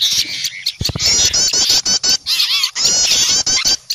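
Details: Alarm chorus of small birds that have spotted an owl, a bird-catching lure: dense harsh scolding chatter broken by brief pauses, with a short lower thump near the start.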